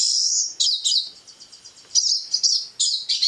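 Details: A Pine Siskin, one visiting a feeder in Eastern Ontario, sings a high, rambling twitter of rapid trills and buzzy wheezes, opening with a long, drawn-out buzzy note.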